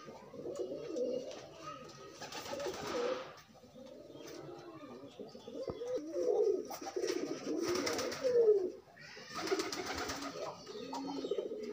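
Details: Unrestrained pigeons courting and pairing: repeated low, throaty coo phrases run throughout, broken by three loud bursts of broadband noise like wingbeats.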